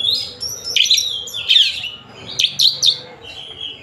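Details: Oriental magpie-robin from Tasik singing a brief varied phrase: a sustained high whistle, then scratchy chattering notes and rising-falling whistled slurs, ending on a fading thin tone.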